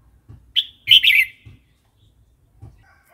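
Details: Red-whiskered bulbul wild-style song for training young and wild-caught birds; a short rising whistle followed by a warbled, bubbling phrase, with soft low thumps and a faint descending note near the end.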